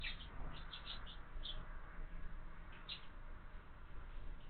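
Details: House sparrow chicks in a feeder mounted on a window, giving faint, short high chirps in loose clusters, about a dozen notes over four seconds, against a steady low background hum.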